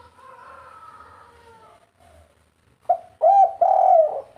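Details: Spotted dove, 'kuk 3' full fighter style meant to spur other birds into fast calling: faint drawn-out lower tones first, then after a short silence a loud run of deep, rounded coos to the end.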